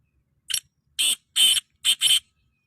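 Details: Black francolin in village nature: one harsh, grating phrase of five loud rasping notes, a short opening note, two longer ones and a quick closing pair; nothing else heard.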